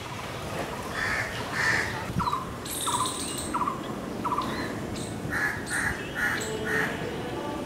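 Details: Blue-throated barbet (Psilopogon asiaticus) calling from leafy trees near a balcony, heard often but hard to spot. It gives loud, hollow notes about twice a second, shifting between higher and lower pitches, with a brief thin, high call from another bird.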